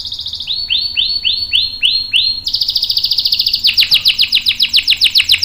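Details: Canary in full song, its long roll meant to lure other canaries into singing: a run of swooping whistled notes, a high dense trill, then rapid repeated ticking sweeps.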